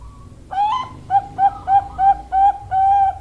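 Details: Female zebra dove, Bangkok perkutut type: one brief rising coo, then seven clear staccato whistled notes in quick succession, the last one held longer.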